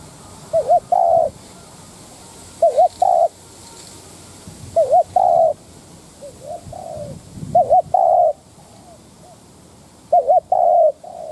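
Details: Decoy spotted dove cooing to provoke wild doves into calling: short wavering double notes, each followed by a longer steady coo, phrases repeated roughly every two and a half seconds, with softer falling coos between them over a quiet background.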